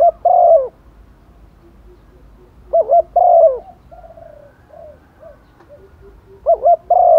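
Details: Decoy hen spotted dove calling males in the rainy season, giving three low phrases of a quick doubled note and a longer falling coo, with faint softer coos heard in the pauses.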